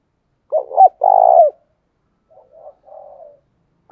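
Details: Decoy spotted dove, used for training and luring wild doves, giving a low cooing phrase: two short rounded coos, then a longer drawn-out coo, with softer faint coos after a pause.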